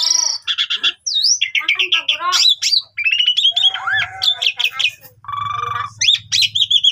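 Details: Asian pied starling singing a lively, full song packed with varied fillers: quick whistled slurs, buzzy rattles, rising and falling notes, and chattery bursts with short pauses, over a faint low hum.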